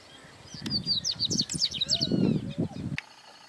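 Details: Double-collared seedeater, Sporophila caerulescens, recorded in 2018: a quick run of thin, high, varied notes and short slurred chirps over about two and a half seconds, with low rumbling background noise beneath.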